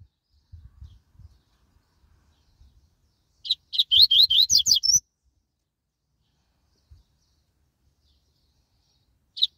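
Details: Double-collared seedeater, a fast-singing Brazilian coleiro, taken out on an outing, giving a quick phrase of about ten clear rising whistled notes after a quiet stretch with low knocks, then one more note at the end.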